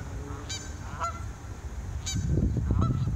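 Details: Canada geese taking off give loud, nasal honks about once every half second over a heavy low rumble of rushing wind and wingbeats.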